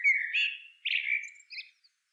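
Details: Middle spotted woodpecker, Dendrocopos medius, giving short bird notes: a buzzy, slightly rising note followed by two further harsh bursts and a brief high tail, all in about two seconds.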